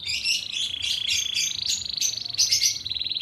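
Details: Song of a fighting canary kept for training: continuous rich warbling with rapid trills and bright high notes throughout, fairly steady in loudness.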